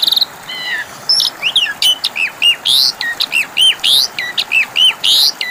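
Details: Asian pied starling singing as a lure for birds that have stopped singing: loud, bright whistles that rise and then drop, alternating with short harsh noisy bursts in a steady run of phrases.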